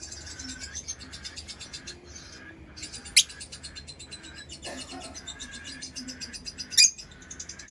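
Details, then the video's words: Lovebird chirping: thin, shrill, rapidly repeated high twittering with two sharp, piercing squeaks standing out, over a steady background hum. "Lovebird Chirping Sounds"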